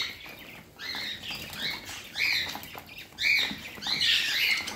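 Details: Parrot indoors giving scratchy, squeaky chirp bursts, quiet at first, then louder phrases roughly every second, with occasional wing flutter.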